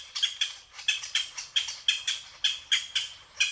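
A Japanese green woodpecker gives a rapid series of harsh, squawky notes, about four a second and often paired, high-pitched and steady, with no other sounds.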